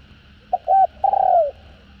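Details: Spotted dove giving calling, urging and cooing, used to excite freshly caught birds; one phrase: a brief hoot, a steady held note, then a long throaty coo gliding down in pitch.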